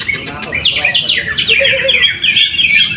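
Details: Greater green leafbird in a cage at a weekly practice singing contest in Mojokerto, East Java, Indonesia, where it took first place. It gives a fast run of bright descending whistled slurs merging into a continuous warbling stream, with other birds faintly audible.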